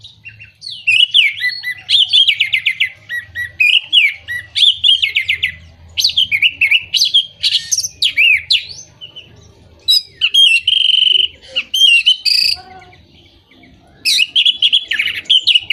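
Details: Orange-headed thrush song used as a lure to stimulate moulting, silent birds or those out of breeding condition: loud, varied phrases of high whistles and rapid chattering notes in bursts, with brief pauses between phrases.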